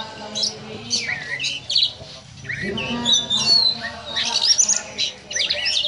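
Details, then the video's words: Kacer, or oriental magpie-robin, delivering ngobra-style song said to sound like a snake: scattered bright chirps and thin downslurred whistles with brief gaps, over a soft low background hum. "Kacer Ngobra Seperti Ular"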